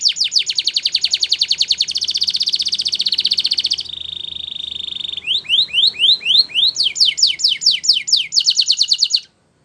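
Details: Belgian canary singing to train canaries: loud rapid trills changing pace, a steady whistled tone held about a second, then rising whistles and quick downslurred notes ending in another fast roll.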